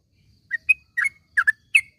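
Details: Yellow-vented bulbul in the morning, used to coax caged birds into song: half a dozen short, clear whistled notes, some slurred or doubled, spaced irregularly over two seconds.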